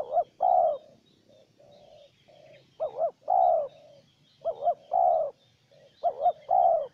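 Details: Spotted dove, wild bird answering a decoy: steady series of cooing phrases, each a wavering double note then a long coo, interleaved with softer distant coos and a faint high insect buzz.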